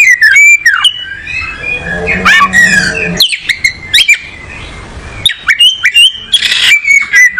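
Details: Oriental magpie-robin, a songbird bred in tropical South Asia, looking for a good spot; varied whistles and slurred notes with harsh squeaky bursts, a low hum midway, and rapid chattering phrases toward the end.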